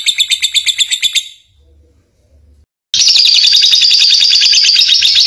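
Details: Lovebird ngekek chatter delivered while turning, used to draw other lovebirds into song; a burst of quick pulsed chirps fades out, a short pause follows, then a loud continuous high buzzy chatter.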